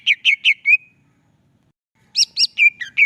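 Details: Greater green leafbird in full vigorous masteran song: four quick bright whistled chirps, a pause of about a second, then a louder burst of five rising and falling sweet notes, all high-pitched over a silent background.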